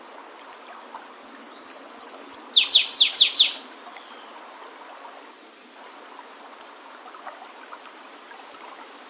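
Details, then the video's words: Wild Flavescent warbler, Myiothlypis flaveola, in song: a lone high note, then a quickening string of thin high whistles that ends in four strong downslurred notes. A soft murmur of background noise follows, and one more high note sounds near the end. "Canário do Mato cantando bonito na natureza. Aprecie o lindo canto deste canário diferente."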